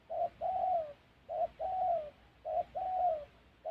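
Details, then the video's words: Fairly quiet spotted dove cooing at a trapping site in Gia Lai's wild Central Highlands forest, Vietnam; a brief coo then a drawn-out falling one, repeated about every 1.1 seconds, with light background noise. "Bẩy Cu Gáy"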